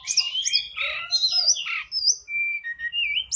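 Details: Grey-cheeked bulbul, a lure sound meant to call in wild birds: a busy jumble of chirps and slurred whistles, followed by clearer level and wavering whistled notes near the end.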